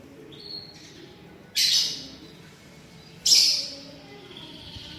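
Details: A green leafbird gives a mimicry-filled song: a soft whistled note opens, followed by two loud, harsh high chattering bursts about two seconds apart, each fading quickly into quiet.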